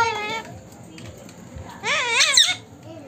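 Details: Pet Indian ringneck parakeet talking indoors: a short nasal, harmonic mimicked phrase, then a louder warbling, wavering-pitched burst of imitated speech, with faint background hum.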